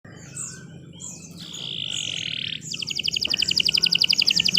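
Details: Canary singing: a faint chirp, then a steady high whistled note, then a fast run of repeated high buzzy notes that grows louder toward the end.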